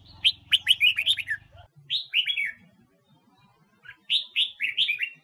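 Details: Red-whiskered bulbul of the Huế type singing, a recording meant to stir newly caught birds into voice for song competitions: three bursts of quick, liquid whistled notes, mostly falling, separated by short pauses, with a low hum in the first second and a half.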